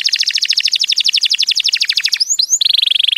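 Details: Male canary song played to train young canaries and encourage mating: a quick, rhythmic double-noted trill runs for two seconds, then two bright upward sweeps lead into a tight, even buzzy roll.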